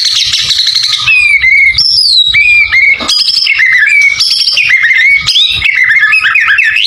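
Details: Loud white-rumped shama song with full fill phrases, used to provoke other birds: long varied sequence of clear whistled notes, some drawn out and level, others quick slurred and warbled, with a buzzy start and occasional clicks.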